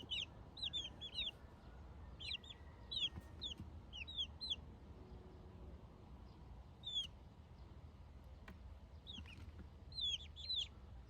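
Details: Buff Orpington chickens a month old, peeping in bursts of high, arched chirps, several birds calling in quick clusters every second or two, then pausing, over a faint low rumble.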